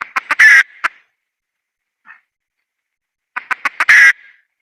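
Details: Wild junglefowl hen: clucks and a loud harsh squawk, then a long pause with one faint cluck, then another burst of rapid clucks peaking in a raucous squawk.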